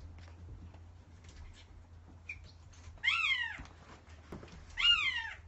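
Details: An imprinted female American goshawk in a breeding chamber gives two drawn-out, nasal wailing calls that rise then fall, about two seconds apart, over a low steady hum.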